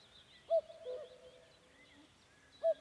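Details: In Estonian forest near Vändra, Pärnu County, on a May evening, a common cuckoo gives one full descending cu-coo and starts another, its cuckooing slightly unusual, with thin high birdsong and quiet woodland ambience around it.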